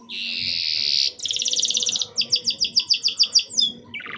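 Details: Canary singing a brief lure phrase for young canaries: a bright buzzy note, a fast pulsed trill, then about ten clear descending notes repeated quickly, ending on a lower buzzy fragment.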